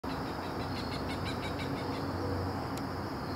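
A Cooper's hawk gives a quick run of about eight harsh, evenly spaced cak notes over a steady low rumble of traffic or machinery.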